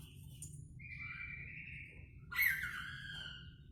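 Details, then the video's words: Kaso-kaso bird in lively song: a drawn-out whistled note lasting over a second, then a loud rich burst with a falling tail, over a steady low rumble. "Burung kaso kaso gacor dor"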